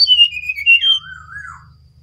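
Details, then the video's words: Brown-chested jungle flycatcher in full song, giving one long clear whistle that starts high and wavers downward, dropping into a lower warbled slur that fades out; a faint low hum in the background. "Sinkatan rimba dada coklat (SRDC) Bali Gacor"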